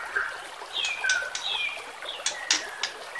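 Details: White-rumped shama recording for training birds, set against trickling water: faint slurred whistles and short sharp notes over a steady watery hiss.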